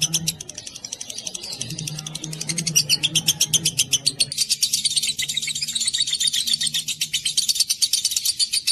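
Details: Ngekek long chatter from a lovebird, a dense run of quick high chirps that grows fuller and busier after a few seconds, with a faint low drone underneath early on.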